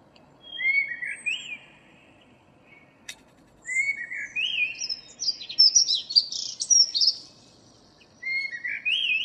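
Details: Common blackbird (Turdus merula), a local bird singing in the morning on 2 April 2013: mellow whistled phrases rising around two kilohertz, each ending in higher squeaky twittering, with pauses of a second or two between phrases.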